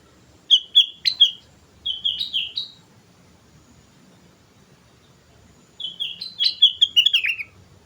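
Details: Energetic sooty-headed bulbul song for luring birds: chattering runs of short, bright whistled notes, one burst near the start and a longer descending cascade after a few seconds of silence.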